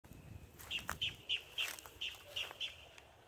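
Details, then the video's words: Boat-tailed grackle calling on 17 October 2022: short, harsh, high notes about three per second, with rattly clicks mixed in over low background rumble. "boat tailed grackle calling"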